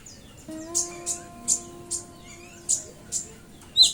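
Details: Cinereous tit song used to coax other birds to sing: sharp, high chirps repeated roughly every half second, a steady low electronic-sounding drone of layered tones running beneath the first three seconds.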